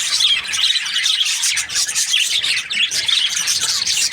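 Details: Budgerigar chirping, described as happy: a steady wash of high, rasping chatter with occasional thin whistles, almost unbroken throughout.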